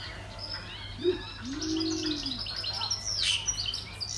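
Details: Straw-necked ibis at Featherdale Wildlife Park gives a low, hoarse grunt, then a longer drawn-out croak that rises and falls, over busy high chirping from small birds and a steady low hum.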